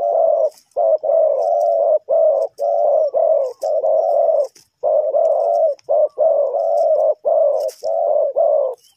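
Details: Spotted dove from Ninh Thuận, Vietnam, used as a decoy to lure wild birds into a trap. Loud, low, mellow cooing runs in near-continuous blocks with only brief gaps, about one phrase per second. No other clear sounds.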